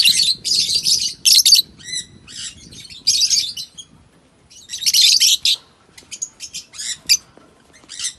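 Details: African lovebirds kept as pets in Kannur, giving bursts of shrill, harsh chirps and squawks in clusters, pausing between volleys, with a lower rustling murmur beneath.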